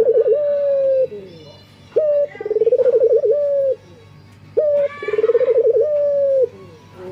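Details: Male local collared dove in breeding condition calling females: three coo phrases, each a short sharp note, then a fast rolling trill, then a long steady note. Background quiet.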